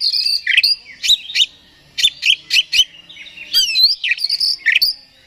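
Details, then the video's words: Oriental magpie-robin sound used to provoke another bird and raise its emotion: energetic, high-pitched song of clipped chirps and downslurred whistles in quick clusters, separated by short gaps. "Suara Pancingan Kacer Agar Cepat Emosi Gacor ! Pancingan Paling Ampuh Buat Menaikan Emosi Kacer"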